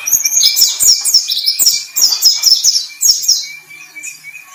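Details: White-breasted white-eye singing vigorously, a bird kept ready for hanging at song contests: loud, rapid high-pitched twittering phrases in bursts, with a thin steady whistle-like tone running underneath.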